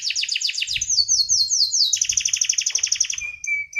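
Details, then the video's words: Domestic canary in lively song: rapid downslurred chirps, a run of sliding whistles, a dense rattling trill, and a final thin whistled note, with faint low rumble beneath. "BURUNG KENARI 30 DETIK LANGSUNG NGEROLL|| Denger Cuit-Cuit Kenari Gacor!!!"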